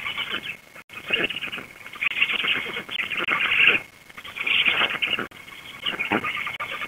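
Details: At a black stork nest near Łódź, Poland, on the evening of 16 June 2021, a returning female feeds chicks. Rasping, breathy wheezes swell and fade in irregular bouts about once a second, with a faint constant whine behind.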